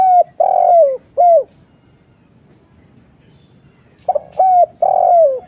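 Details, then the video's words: Lure recording of a spotted dove cooing: two full phrases separated by a silent gap, each a short coo, a longer drawn-out falling coo and a clipped ending note, mid-pitched and clear. "SEMUA LANGSUNG NYAUT..!!! suara burung tekukur kuk 1"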